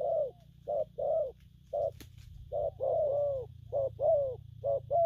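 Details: Spotted dove delivering gù phóng, kèm and gù lăn coos: mellow low hoots, some short and some drawn out with a falling tail, in uneven bursts, with a click near the middle and constant low background hum.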